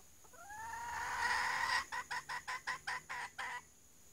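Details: Female red junglefowl serving as a lure, calling despite being startled: a long nasal note rising and growing louder, then a rapid run of about eight short, evenly spaced clucks.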